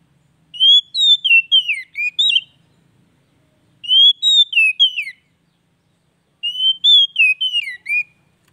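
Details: Oriental magpie-robin song for bringing a silent bird back to song: three matching phrases of clear whistled notes, rising then swooping down, repeated about every three seconds.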